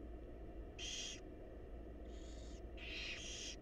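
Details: Begging barn owl chicks in a wild nest box as their mother feeds them, giving rough, breathy screeching hisses, one loud burst, then a fainter one, then a doubled pair, over steady low-pitched hum.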